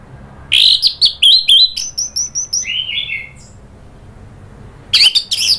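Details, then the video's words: Agitated Orange-headed thrush, provoked by a lure recording: quick run of harsh chips and short whistles, a row of very high thin pips, a low slurred phrase, silence, then harsh bursts at the end. "bikin ANIS MERAH EMOSI NRATAK lanjut NGEPLONG"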